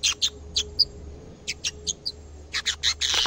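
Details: Caged canary reacting on first seeing a camera, giving short, separate high chirps and sharp notes at irregular intervals, ending in a brief denser burst. A faint low hum runs beneath.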